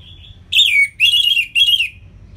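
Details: Orange-headed thrush, ngeplong tutor song from Singaraja in northern Bali, aimed at lazy singers: three loud, drawn-out harsh whistled phrases, the first falling in pitch, each lasting about a third of a second.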